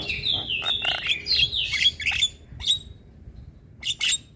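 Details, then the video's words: A young Javan myna chatters in a dense run of high, wavering whistles and rasping notes. A pause follows, then two short scratchy bursts. "Ocehan Jalak Kebo Muda Suara Asli Jalak Kebo Manggut Manggut Ngoceh Tanpa Henti"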